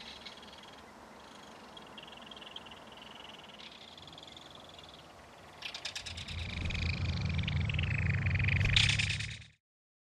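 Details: Belted kingfisher feeding its young in a mud-bank nest: soft pulsed chattering first, then a louder, harsher rattling outburst over a low rumbling noise before sudden silence.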